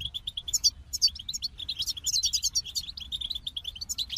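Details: Busy goldfinch song mixing quick high twitters with repeated jingling, tinkling phrases, flowing almost continuously, with low-level background noise.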